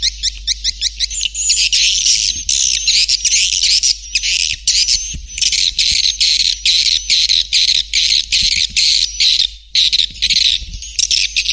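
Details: Swiftlet calling sound used as a lure to attract swiftlets: dense, high, buzzy chittering twitters in rapid pulsed bursts, almost continuous, with short thin whistled notes woven through.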